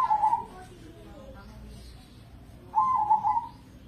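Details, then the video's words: Caged Indonesian crossbred zebra dove singing: a burbling coo phrase at the start, then after a pause another longer rolling, stuttering coo, with faint voices and soft background hum between them. "Pancingan Pekutut Crossing Gacor Dorr"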